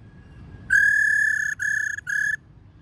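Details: Calling female laughingthrush, a call aimed at exciting males: a drawn-out level whistle lasting nearly a second, then two shorter whistles on the same pitch, with faint background hum.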